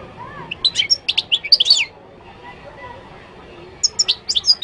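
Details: Moroccan European goldfinch song, a quick tumbling series of sharp, liquid twitters and chirps, then a silent gap before another short twittering burst; faint low murmur behind.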